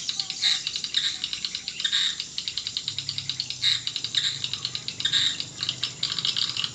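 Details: Swiftlet lure recording to attract swiftlets: a dry, rattling chatter of quick clicking chirps that swells into louder buzzy bursts about every second or two.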